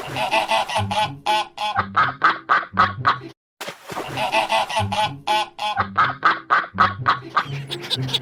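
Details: White and brown ducks give loud, nasal, honking quacks in quick runs of about three or four per second, broken by a brief pause; music plays faintly behind.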